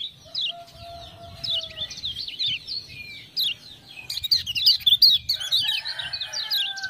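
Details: Kecial kuning (Lemon-bellied white-eye) from Lombok, a tutor bird prompted into full song by "ciak-ciak" sounds, delivers a near-continuous stream of quick, high, zigzagging chirps that grows louder and denser midway, over faint lower drawn-out whistles.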